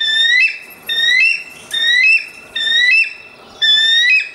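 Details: Bald eagle giving loud, rising, whistled squeals with a harsh edge. Each note lasts about half a second and is repeated roughly once a second, with short gaps between them.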